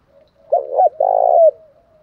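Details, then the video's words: Spotted dove cooing in the song style locally called "giọng thổ pha đồng": a single phrase of a short doubled coo followed by one longer, steady, mellow coo, with a quiet silent background. "cu gáy giọng thổ pha đồng"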